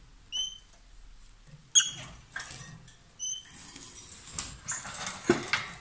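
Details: A pair of lovebirds, loud while billing or passing food, gives two short level whistled chirps with ringing overtones a few seconds apart, then a run of rough buzzy chatter.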